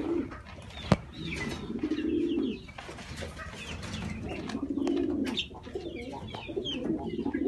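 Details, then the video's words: Bukhara pigeons give low, rolling coos in long bouts, with a sharp click and faint chirps of other birds in the background. "الحمام البخاري"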